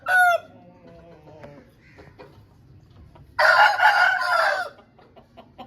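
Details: Aseel rooster of a home breed: a short crow cut off at the start, a quiet pause, then a full rough crow lasting over a second, with faint clucks in the background.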